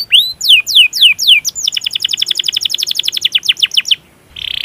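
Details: Canary song used as a training recording for other canaries: slow sweeping downslurred notes lead into a long, fast, even trill, then a short pause and a buzzy roll.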